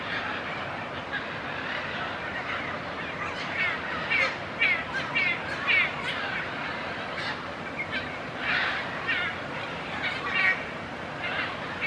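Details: Military macaws in Suaz de Guadalupe, Querétaro, Mexico, during migration time, from a population watched by community monitors. Harsh, broad squawks repeat irregularly, loudest between four and eleven seconds, with short sharp notes over a steady noisy background.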